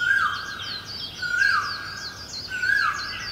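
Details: Great barbet in Guangzhou, China, recorded in April 2022: a loud, mellow, slurred whistle that falls in pitch, repeated about every 1.2 seconds. Thin chirping notes from other birds run above it throughout.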